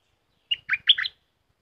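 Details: Red-whiskered bulbul kept in a cage, singing a 'dok taeng' style phrase: a sharp opening note followed by three rapid, liquid, warbling syllables, all within about half a second.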